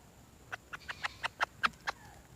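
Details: Red junglefowl hen calling for a mate: a run of seven short, bright clucks, gently rising in loudness and evenly spaced about a fifth of a second apart.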